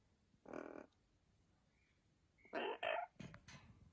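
Amazon parrot giving harsh, loud squawks: one near the start, then a close pair of brassy calls and a few shorter rough notes at the end.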